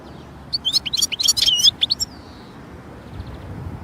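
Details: European goldfinch in nature giving a single quick phrase of rapid, liquid high twittering notes in the middle, closing with a faint drawn-out whistle that fades into quiet background.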